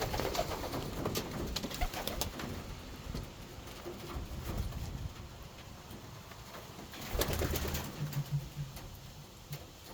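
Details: Racing homer pigeon giving low, soft cooing notes, with a louder throaty coo burst near the end, amid scattered clicks, rustling and shuffling in a close, room-like space.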